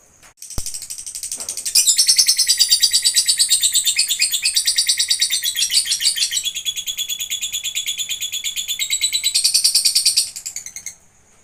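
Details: Caged lovebird singing at home in Gamping, Yogyakarta, Indonesia: a long, continuous, rapid chattering trill of high buzzy notes lasting about nine seconds, preceded and followed by a few sharp chirps.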